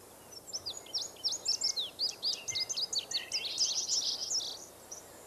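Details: Indigo bunting singing in a forest: a fast run of high, thin chirps and sweeping slurred notes, many short elements packed together over about four seconds, with faint background noise.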